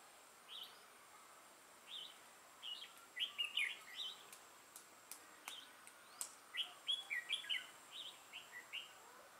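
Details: A decoy red-whiskered bulbul sings while used to lure wild birds into a trap, 6 November 2018: a series of short, clear chirped phrases repeats every second or so, with a few clicks in between.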